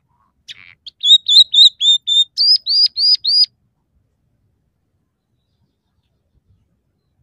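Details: Actively singing scaly-breasted munia whose song mixes three variations and borrowed house sparrow, red siskin and canary phrases: two short chips, then ten evenly spaced whistled notes, the later ones rising and upturned, followed by silence.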